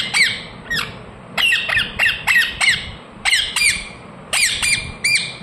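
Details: Chirping from a ring-necked parakeet kept as a talking parrot: shrill, clipped notes that drop steeply in pitch, often paired or in threes, repeated across five seconds.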